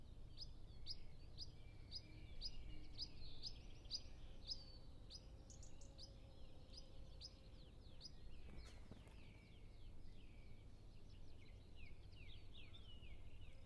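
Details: Long run of high, evenly spaced chirps from a European pied flycatcher feeding two young at the nest, about two notes a second, briefly broken by a sharp click near the middle, distant birds and low rumble behind; Zoom F6, Sennheiser MKH 8040.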